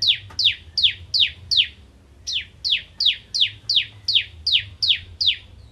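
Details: Bar-winged prinia, crystal type, in 'nembak ngentrok' song: five quick descending chips, a short gap, then a longer even run of the same sharp, downslurred notes.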